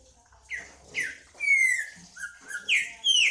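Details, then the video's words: A green-winged saltator sings a sequence of ringing whistles: two short downslurred notes, a long drawn-out descending whistle, softer steady notes, then two sharp bright downslurs to finish. "Trinca ferro cantando"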